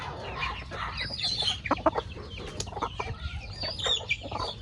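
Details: Chickens feeding on corn in a farmyard, with scattered clucks, squeaky high notes and sharp pecking clicks from the flock.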